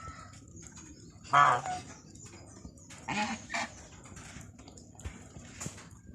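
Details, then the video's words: A black swan gives a loud, nasal bugling note, then two shorter honks about two seconds later, over a steady high insect hum. "Swan Sounds || Funny Swans Sounds || Amazing Swan || Black Swan"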